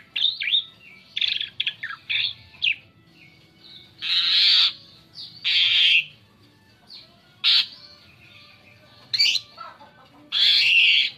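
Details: Scattered whistles and chirps from an Asian pied starling singing to lure other birds, punctuated by long harsh grinding screeches at intervals of about two to four seconds, with quiet gaps between.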